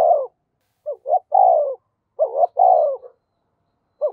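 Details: Decoy spotted dove quickly coming into voice: two clipped hoots then a long, rich, slightly falling coo, the phrase given twice in quick succession against a silent background.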